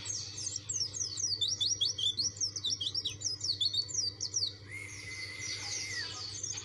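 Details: A dakun white-eye persistently challenging rivals pours out a dense chain of quick, high slurred chirps for over four seconds, then holds a long, flat, lower whistle that dips at the end.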